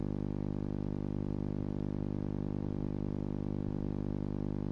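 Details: At 2.18am on 20 January, only a steady droning electrical hum with rapid regular pulsing is heard, and no owl or other animal calls.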